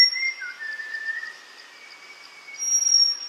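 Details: Malabar whistling thrush in Tamhini forest, Western Ghats, India, at a summer water hole in May; one long slurred whistle, dipping then gliding level, followed by a faint thin whistle, with a continuous pulsing high insect hum.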